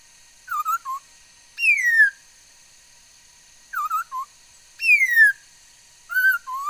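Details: Female laughingthrush singing, recorded 13 August 2021 and said to make many kinds of sounds: clear whistled phrases, short paired notes alternating with long, downward-slurred whistles, in bursts about every two seconds over a faint steady hum.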